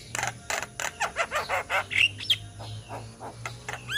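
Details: Flock of Javan mynas from Indonesia calling for training purposes: rapid harsh rasps and falling squawks about four a second, a few thin whistles, over a low steady hum.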